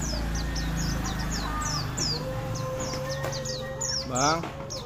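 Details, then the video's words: Oriental white-eye delivering quick, bright, high-pitched chirps and slurred notes in a fast series, accompanied by a faint steady hum and a brief harsh, caw-like call near the end. "Pleci buxto Ngalas"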